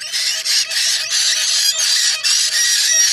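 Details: Harsh, rasping screeches from a white-bellied parrot run almost without a break, loud and broad, with brief gaps every half second or so.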